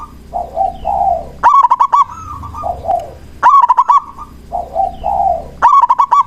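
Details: Local zebra dove used as a lure to provoke other doves into answering and stir breeding drive, with three phrases of quick stuttering staccato notes, each trailing into lower, softer purring coos between them.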